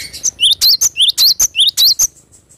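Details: Cinereous tit singing energetically, a natural recording: a rapid run of about ten sharp, high, whistled chirps with bent notes, evenly spaced over two seconds, then quiet.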